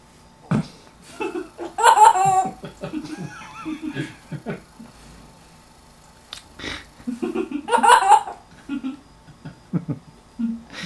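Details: Pet African grey parrot indoors with an English accent, mimicking human talk and household sounds: two clear bursts of voice-like phrases with strong tonal syllables, separated by quieter clicks, breaths and mumbled fragments over eleven seconds.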